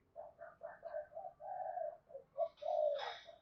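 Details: Lure spotted dove cooing to attract wild birds: a run of soft rolling coos, then a longer falling coo, with a brief higher-pitched rustle at the end.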